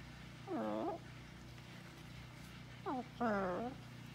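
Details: Pet blue-and-gold macaw on a farm, chatting indoors with its owner: two bursts of harmonic, wavering vocal sounds, the first a short bent note, the second a pair of rising-then-falling syllables, over a steady low hum.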